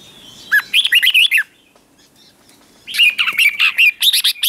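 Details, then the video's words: Morning 'ché' song of a Red-whiskered bulbul used for training: two loud phrases of rapid, liquid whistled notes, about seven notes each, separated by a silent gap of roughly a second and a half. "Luyện chào mào hót sáng, QUÁ HAY - CHÉ KÍCH BỔI CĂNG ĐÉT, Cách luyện chào mào hót căng lửa"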